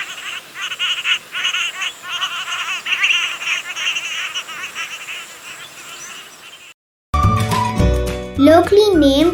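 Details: A Cotton Pygmy-Goose (cotton teal), a small perching duck of freshwater wetlands in Sri Lanka, giving rapid, cackling, nasal calls in quick bursts for about seven seconds, followed by a pause and then music.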